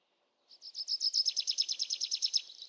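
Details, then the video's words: Songbird delivering a high, even trill of about eighteen quick repeated notes, each a short bright chirp, steady in pitch and rhythm for two seconds, in otherwise silent surroundings. "Sound of the Birds"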